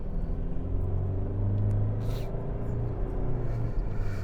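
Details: Steady low engine rumble from a vehicle, with a brief hiss and faint knocks, and no animal voices.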